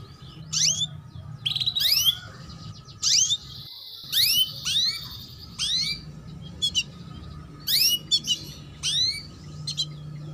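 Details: Female canary giving repeated chirps used to prompt young males into song: steep rising high-pitched notes in pairs and clusters, roughly one burst a second, over a low steady hum.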